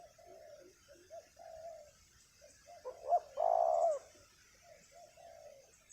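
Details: Spotted dove at a ground decoy spot, wild bird with a strong voice: series of low coos, interrupted midway by a loud, longer rough coo, then quieter notes again; faint high hiss throughout.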